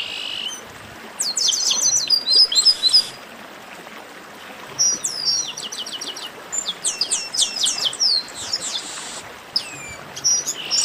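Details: A chestnut-capped blackbird 'baderna' chorus: busy clusters of sharp, high chirps and twittering trills from several birds. Loud bursts alternate with quieter gaps, with a faint hiss beneath.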